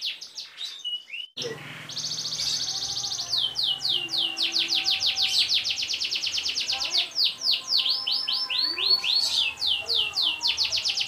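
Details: Canary long roll for training other birds: brief chirps and a pause with low hum, then a steady buzzy trill breaking into long runs of rapid descending sweeps.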